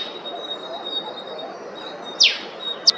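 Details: In Queensland, Australia, an Eastern spinebill gives one strong, high note that falls steeply, then a shorter, sharper high pip about half a second later, over a faint continuous whine.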